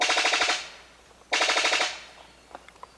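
Brown Sicklebill giving two harsh, mechanical rattling bursts, each about half a second of rapid machine-gun-like pulses, followed by a few faint soft notes.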